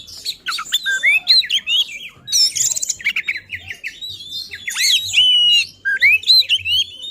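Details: Oriental magpie-robin in full agitated song, used to provoke other magpie-robins: continuous mix of sweet whistles, rising slurs and scratchy mimic-like notes with hardly any pause.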